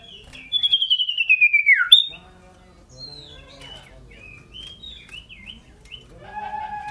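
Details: Scarlet-headed flowerpecker (cito sirdum), shrill and loud in full song; a descending buzzy trill opens, then soft scattered twitters and chips follow with a faint low hum.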